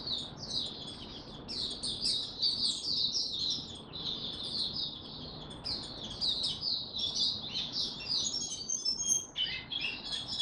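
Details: Oriental white-eye performing tiong aw song on 25 January 2022 after a late night's sleep; continuous high, sweet twittering phrases tumbling quickly together, ending with a few sharper upward notes.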